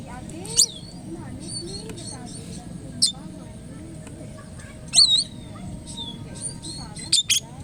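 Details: Formerly wild Oriental magpie-robin, taken from the forest and now tame, giving brief piercing whistled chirps that sweep downward, some doubled, spaced a second or two apart, with low murmuring sounds and a background hum beneath.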